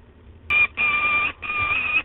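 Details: Peregrine falcons at the nest at De Mortel, 5 June 2020 shortly after 14:00; three loud, drawn-out, clear harmonic wails, the first short and the next two longer, separated by brief gaps.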